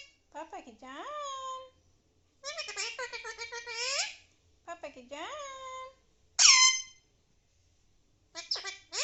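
An Alexandrine parakeet talks in high, raspy, speech-like phrases: four bursts about two seconds apart, with a sharp shrill squawk between the last two.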